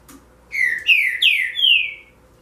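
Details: Green-winged saltator (trinca-ferro) singing as a warm-up bird, four loud clear whistled phrases in quick succession, each sliding downward, the last one longest and drawn out, against a quiet background.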